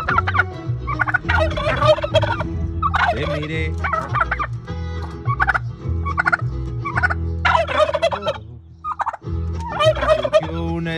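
Turkeys gobble in loud, rattling bursts about once a second, answering a man singing a love song in Spanish.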